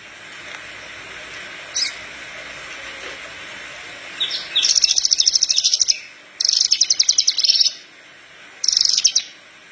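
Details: Horsfield's bush lark singing, recorded for training other larks: after quiet hiss, three high, fast rattling trill bursts roughly a second each, with brief pauses between.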